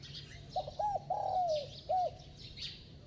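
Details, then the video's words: A spotted dove's bell-toned coo, delivered at a quick pace: a low phrase of brief looping notes, a long downward-sliding coo and a short closing note, over distant high bird chirping. "Tiếng Chim Cu Gáy Giọng Chuông, Kèm Thúc Gù Tốc Độ II Kích Bổi Lâu Nổi"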